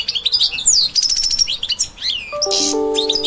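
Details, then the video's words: European goldfinch singing as it gradually comes into breeding condition, with the breeding season approaching. Fast, tinkling twitters and liquid chirps mixed with buzzy trills and sweeping notes, followed near the end by a steady sustained electronic-sounding tone beneath the bird. "Jilguero subiendo de celo!!"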